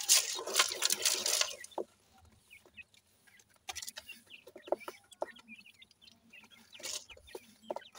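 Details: Young grey francolin chicks at play, producing quick high-pitched cheeping notes scattered irregularly, with bursts of scratching and rustling noise at the start and a faint hum throughout.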